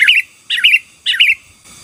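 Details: Sooty-headed bulbul in full song, used to overpower rival birds: three quick phrases of rich, gurgling whistled notes about half a second apart, each phrase bubbly and slightly descending, with quiet surroundings.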